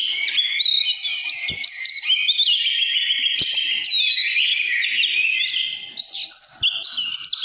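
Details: Steady, loud căn lửa singing by an Oriental magpie-robin, a fluid mix of pure whistles, slurred glides and scratchy notes, with a short pause before the final bright phrases.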